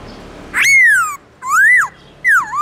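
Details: Morning song of a black-throated laughingthrush, three long, clear, pure whistles, each arching or dipping in a smooth curve, separated by brief pauses.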